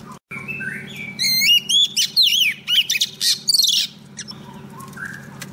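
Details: Female Oriental magpie-robin singing to call a male, kept as a lure bird: a varied run of rising and falling whistled notes mixed with harsh buzzy syllables over about three seconds, steady low hum beneath.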